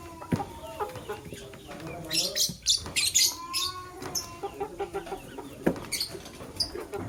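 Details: Male lovebird courting a prospective mate. It chatters in a dense run of scratchy high chirps, then sparser single chirps, over soft clucking from other birds and faint wing flutters.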